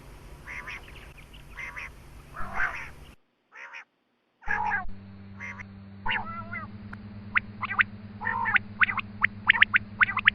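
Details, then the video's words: Quail call for hunting lures: rough buzzy bursts, a short silent break, then rapid sharp chirps in clusters and some bending notes, accompanied by a steady low hum. "Batair Ki Awaz |Quail Calling Batair Ki shikar Ki Awaz"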